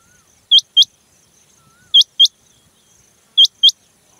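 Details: Female rain quail call, Bhigwan outskirts near Kumbhargaon, India, July 2024: sharp, high, metallic notes in quick pairs, repeated about every second and a half, against a quiet background.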